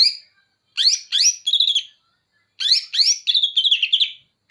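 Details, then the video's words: Banyuwangi greater green leafbird delivering imitated bearded bulbul material: two loud phrases of rising slurred notes followed by fast warbled trills, separated by a short pause. "Cucak Ijo Banyuwangi Materi Cucak Jenggot"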